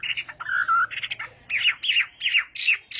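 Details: Contest-style morning singing from a hwamei: choppy, loud warbled notes and short slurred phrases, a low steady hum faintly underneath.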